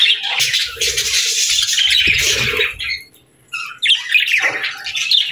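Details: Several pet budgerigars chattering and chirping together: dense, scratchy warbles and squawks high in pitch, a short pause after three seconds, then more bright chirps returning.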